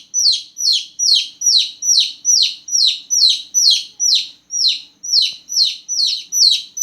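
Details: Small newborn chicks peeping loudly at night, a steady series of about sixteen high, down-slurred chirps spaced evenly a little under half a second apart, clean and without other noises.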